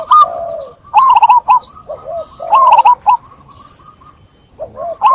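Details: Several local zebra doves sing clearly, one drawing others into song: overlapping quick rippling coos and lower curved notes, rising and falling in repeated phrases about a second apart.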